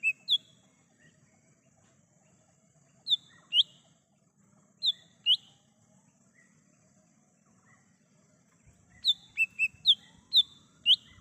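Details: Wild lesser green leafbird song for luring and calling birds: scattered pairs of sharp whistled notes dropping in pitch, spaced by silences, ending in a faster series of about seven bright whistles over a steady low background hum.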